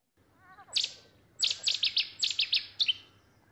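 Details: A Cetti's warbler in the UK bursts into its sudden, loud, explosive song from a reedbed or dense vegetation: a sharp opening note and then a rapid run of about eight ringing, metallic phrases, with faint background hum.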